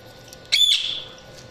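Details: Budgerigar giving a single sharp, bright call with a harsh start that slides into a drawn-out, slightly falling whistled tail, against quiet steady hum.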